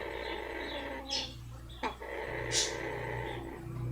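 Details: Captive female blue-fronted amazon enjoying a rump rub, giving a continuous buzzy purr broken by a sharp snort, a brief click and a hissing puff, with a constant low background hum.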